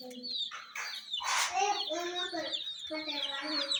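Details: Several chicks and a hen around toy jeeps: high overlapping cheeps run throughout, mixed with lower throaty clucks and a burst of noise in the middle.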